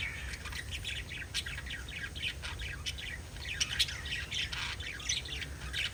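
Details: Pet lovebirds keep up rapid, overlapping chirps, thin high notes tumbling quickly one after another with occasional harsher squawks, over a low background hum.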